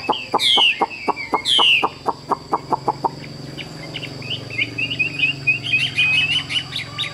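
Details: Tame Chinese hwamei: a regular series of sharp knocking taps with two loud downslurred whistles over them, then a quieter run of quick chattering and whistled notes.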